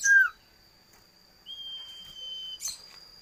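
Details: Common iora, called cipoh or sirtu locally, singing a quick downslurred note, then a long, level, slightly falling whistle of about a second, over a faint steady electronic hum.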